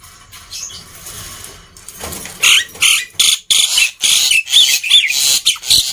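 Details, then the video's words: Noisy black-winged myna song meant to spur lazy mynas into singing: soft murmuring at first, then a rapid run of harsh rasping screeches with a couple of thin whistles. "Kicauan Burung Jalak Putih Gacor Ribut || Pancingan Burung Jalak Malas Bunyi"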